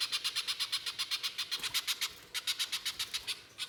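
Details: Spiderhunter (pijantung pisang) in lively, harsh 'nembak kasar' style, used to coax other spiderhunters into singing: a rapid series of rasping, high chattering notes, about four per second, with one short break.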